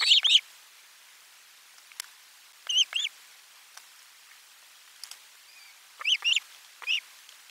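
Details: Osprey at nest #4, 12 July 2022, lunchtime fish arriving: scattered shrill whistled notes, a loud double yelp at the start, then softer paired cheeps and a few faint clicks between quiet gaps.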